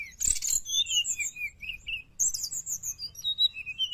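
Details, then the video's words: Sooty-headed bulbul in full song, used to lure wild birds: a harsh, noisy burst, then a chain of whistled, slurred notes wavering up and down, repeated quickly throughout. "srdc gacor penarik burung bahan"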